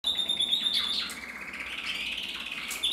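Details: Male red mosaic isabel canary with a red mask, bred in captivity, recorded in 2024, singing high trills and rolling phrases with a clear whistled note at the start, sliding downward into buzzy chatter; room sound faintly behind.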